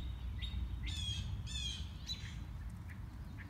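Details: Unseen mockingbird heard on a morning walk, running through its repertoire: two loud, harsh, buzzy notes rich in overtones, then thinner, upward-slurred phrases, over a steady low rumble of background noise.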